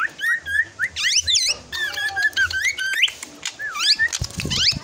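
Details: Young drongo growing toward adulthood, singing a varied string of clear whistled notes, with rising and falling slurs, some rich harmonic phrases, and short clicking sounds between them.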